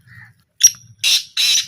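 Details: Black francolin in a small calling trial giving a brief sharp note followed by two loud, grating, drawn-out bursts; faint human voices underneath.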